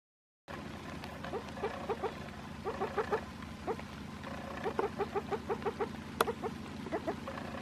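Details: A female spruce grouse with a brood of chicks, met on an afternoon walk, gives soft rapid clucks in clusters of three to five during a broken-wing distraction display, over a steady low engine-like hum.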